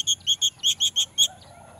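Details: Orange-headed thrush notes used as a singing lure for males: seven evenly spaced, clear high chirps repeated quickly, about four per second, then fading.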